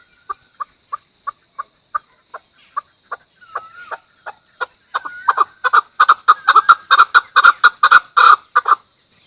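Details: Measured single clucks from a Chukar speed up into a loud, dense, rattling chukar phrase, with a short whistled note in the middle.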